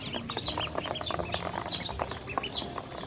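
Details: Hungry baby ducklings fed by a woman with feed and water: bright, sharply falling peeps in quick succession from a small crowd of chicks, mixed with soft clicks of bills at the food.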